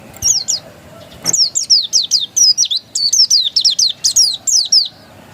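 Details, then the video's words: Oriental white-eye of the dakun type, still in raw untrained voice: a lively run of high, sharp chirps, each sliding downward and then flicking up, delivered in quick bursts almost without pause. "Suara burung pleci dakun masih asli"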